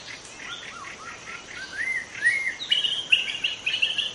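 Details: Wild white-rumped shama from the forest: soft slurred whistles at first, building into louder, higher, bright whistled phrases mixed with buzzy chatter over faint background noise.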